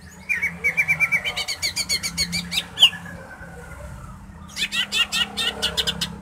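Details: Greater green leafbird song, played to bring another bird into breeding mood before a song contest: quick runs of repeated sharp notes, a loud squeaky peak, a pause, then a burst of harsh rapid chattering notes.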